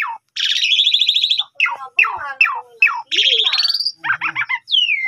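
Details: Asian pied starling, morning lure song meant to call a rival: harsh buzzy rattles, then a run of sharp descending whistled notes, another long buzzy trill, and clipped chattering phrases ending in a falling whistle.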